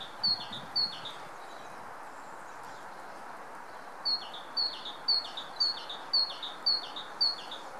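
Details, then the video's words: Male great tit proclaiming his presence in early spring sunshine, 25 February 2014: two quick two-note phrases, a two-second gap, then a run of seven evenly spaced phrases. Faint low-pitched rumbling in the background. "A great tit proclaims his existence through the medium of bird song"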